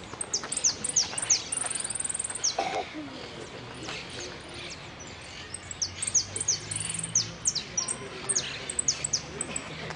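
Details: Hooded siskin at a singing contest in Quilmes on 2 December 2017, placing third in the yellow sin cierre class. It gives very high, thin chirps and twitters in quick bursts, with brief pauses between runs. Faint voices are in the background.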